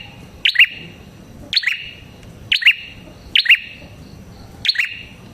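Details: Prinia, prenjak kepala merah, used as bait sound to attract prinias; five sharp, high two-part chirps spaced about one second apart over a faint hiss.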